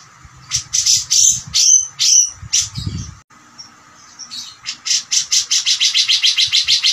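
Grey-cheeked Bulbul giving loud, harsh, buzzy chattering notes, then a fast run of rasping phrases, about two per second.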